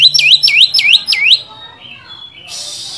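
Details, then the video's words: Oriental magpie-robin singing in a lure recording meant to provoke and excite another bird: four loud, quick, swooping V-shaped whistles, then softer trailing notes and a burst of hiss. "pancingan burung Kacer gacor ini bisa mendobrak emosi Kacer anda degan cepat"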